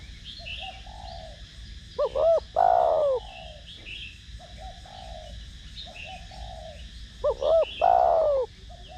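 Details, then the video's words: Spotted dove cooing in the 'thổ đồng' style to lure and stimulate other doves. Two phrases are heard, each with two short coos and a long, descending final note. Soft murmurs come between the phrases and faint chirps sound higher up. "Cu gáy Gù,Thúc giọng THỔ ĐỒNG kích mồi tập bổi rất hiệu quả/Cu gáy Giọng Thổ Đồng kích bổi nhanh gáy"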